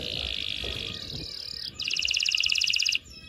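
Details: Canary singing loudly to stimulate males and prepare females for mating: a long, even, high buzzing trill that breaks into a faster, brighter rattling trill, with faint low background rumble.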